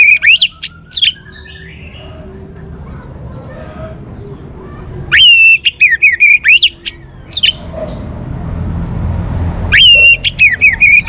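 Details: Orange-headed thrush delivering three separate bouts of sharp, loud repeated whistles, with quiet descending trills and faint chirps filling the gaps.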